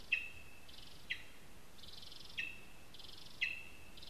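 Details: At a spruce nest in Zemgale, Latvia, a lesser spotted eagle on a live camera gives four sharp high yelps at uneven gaps, each followed by a drawn-out thin tone and buzzy overtones, over faint steady noise.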